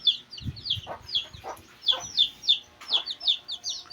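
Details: Quieter, slightly more spaced peeping from two-day-old Shamo chicks: high falling whistles about once a second in small clusters, over faint low rustling and thumps.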